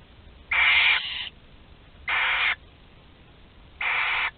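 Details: Last barn owl chick left in the nest at Théding, 26 July 2020, filmed by nest webcam: three harsh, breathy hisses, each about half a second long, spaced one to two seconds apart over quiet background.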